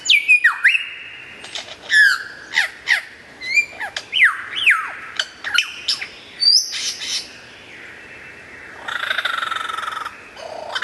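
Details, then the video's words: Lyrebird singing very clearly and loudly: scattered whistled slurs, swooping rising and falling notes and short high chips, with a rasping, buzzy passage near the end. "suara burung lyrebird gacor"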